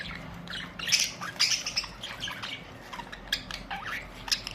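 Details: Budgerigars on April 19, 2023 giving bright twittering chirps and sharp squeaks in busy overlapping bursts, strongest around one and one and a half seconds, with faint low hum underneath.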